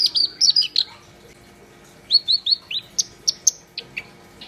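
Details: Black-browed reed warbler singing energetically, opening with a cluster of squeaky warbled notes, then after a pause a series of slurred chirps and sharp high ticks spaced roughly every third of a second.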